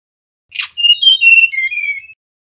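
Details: Whistling male mangrove blue flycatcher: one clean phrase opening with a brief buzzy note, then pure whistles that rise slightly and fall in steps, lasting under two seconds.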